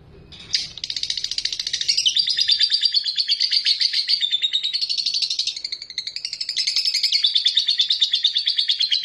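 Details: Lovebird ngekek, a long chattering song used to provoke rivals into answering: after one sharp opening note, a sustained, rapid, high buzzy trill about three pulses a second, continuing for over eight seconds with a brief dip midway.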